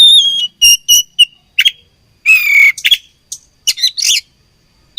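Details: Oriental magpie-robin in fighting mood from Indonesia: a string of wavering whistles, then a long buzzy descending note and a cluster of harsh chattering calls, closing with a short whistle.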